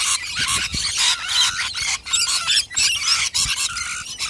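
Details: Wild rainbow lorikeets from Australia squabbling: a nonstop wall of harsh, grating shrieks and squeals, with some thin whistled notes threading through the noisy chorus.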